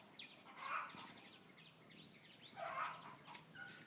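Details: A singing bird gives two bursts of clear, chattering notes with quick falling whistles between them, against quiet background noise.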